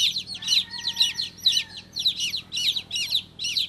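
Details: Baby chick peeping in distinct bursts roughly every half second, each a cluster of shrill falling chirps, with a faint thin tone running beneath.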